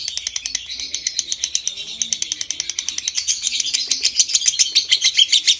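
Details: Lovebird in a long ngekek trill used for stimulating breeding condition; rattling, ratchet-like rapid chatter of high harsh pulses, growing louder toward the close.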